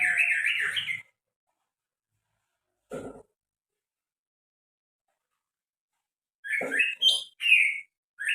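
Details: Greater green leafbird giving unusual calls: a burst of warbled, buzzy notes for about a second, a short lower note, then a run of rising and falling chirps near the end, with long silences between.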